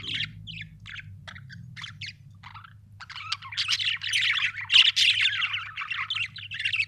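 Budgerigar chirping: quick scratchy warbles and squeaky chirps, sparse at first, then building into a dense, continuous chatter. A low steady hum runs underneath.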